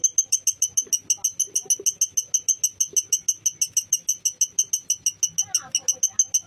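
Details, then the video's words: Lovebird training recording meant to rouse emotion and fighting spirit. It has harsh, high, metallic chirps repeated steadily, about three each second, throughout, with faint low rustling and a brief softer twitter near the end. "Masteran love Bird mancing emosi love Bird kalain auto emosi bikin figter naik"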